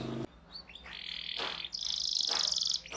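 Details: Canary song phrase meant to teach young canaries: a short rising note, a sustained trill and then a dense high rapid roll, heard over a low steady hum.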